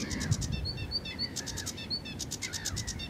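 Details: Sedge warbler delivering restless chattering song, mixing clipped high whistles, dry ticking notes in quick runs and slurred lower phrases, each element shifting within seconds, with a low rumble underneath.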